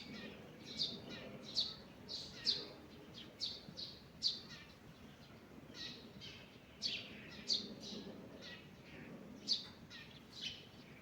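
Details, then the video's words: Morning birdsong in a forest: bright, high chirps repeated roughly once a second in small clusters, with brief pauses between groups, over soft, low ambient rumble. "Morning Birds Singing in the Forest"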